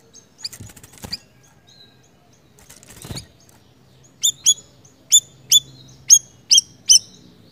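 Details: Siri-siri bird in active (gacor) song: scratchy rustling and fluttering noises come first. Then a run of seven crisp, high, downward-sweeping chirps follows, spaced about half a second apart.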